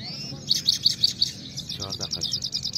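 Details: Singing-fight song of a Himalayan goldfinch (saira): a rising whistle, then five evenly spaced bright chips, followed by rapid tinkling trills, with a short low voice-like sound near the end.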